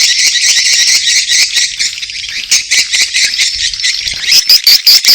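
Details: Mating-call chorus of swiftlets with chicks. Thick, high, rasping chatter runs steadily throughout, and near the end a few short, clear, whistled notes repeat quickly above it.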